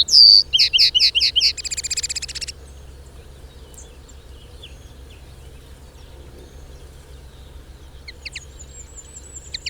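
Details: Lesser Redpoll recorded in the wild, giving a loud burst of fast rattling, buzzy trills over about two seconds, then quiet, with a few faint high notes and a thin whistled note near the end.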